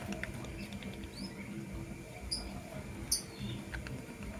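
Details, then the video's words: Morning lovebirds, blue opaline and green personata. Three or four thin, high, quick chirps, some slightly rising, are spaced a second apart over faint clicking and a constant low background hum. "Lovebird Chirping Sounds in Love"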